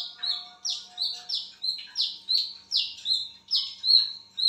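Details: Wiceh bird calling in the middle of the night: each high whistle starts with a short upward flick, then holds a falling tone. Notes repeat roughly every half second over a quiet background with a faint low hum.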